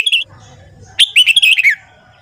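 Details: Morning song of a red-whiskered bulbul played for training: a brief whistled note, a pause, then a fast chattering warbled phrase of bright notes that falls in pitch at the end.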